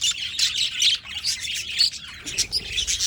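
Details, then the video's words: Short burst of budgerigar chatter: loud, high, rasping chirps in quick pulses with a brief dip in the middle, then more scratchy twittering. "Budgies Birds talking sound | Birds chirping sounds"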